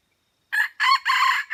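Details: Aceh red junglefowl crowing at Mata Ie during lure trapping: after half a second of silence, three loud, hoarse, raspy bursts follow in quick succession, then the start of a fourth, with no other sounds around them.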